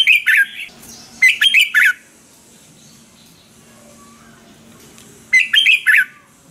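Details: Red-whiskered bulbul, caged bird in Thailand, song used to rouse or train caged birds: two quick bursts of chirpy, warbled notes early, then a long quiet stretch with faint hum, and one more burst near the end.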